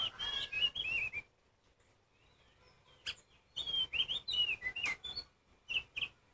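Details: Oriental magpie-robin, kacer poci form, whose loud song is meant to make other magpie-robins sing. Warbled whistles open, a quiet gap follows, then a fresh burst of sliding, looping whistled notes.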